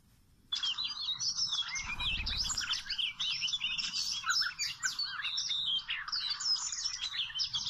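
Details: Wild Oriental magpie-robin, at a site where birds are trapped with small ropes, sings a dense, continuous jumble of high chirps, quick slurred whistles and twittering notes, starting abruptly after half a second of near silence.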